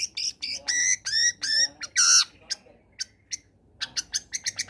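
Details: Long-tailed shrike sings a mixed combination song intended to make reluctant shrikes sing along. Loud buzzy, layered phrases and a harsh burst come first, then a string of quick sharp chips.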